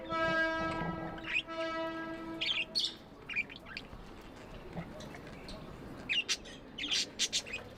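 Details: Pet budgies chirping with love: a steady buzzy droning tone opens the scene, then sharp, high chirps and squeaks come in irregular bursts.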